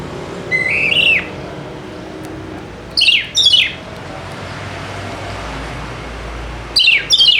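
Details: Oriental magpie-robin singing to coax silent birds into song: a rising-then-falling whistled phrase, two sharp downswept notes around three seconds, then a quiet stretch and a final double note, with faint traffic-like hum.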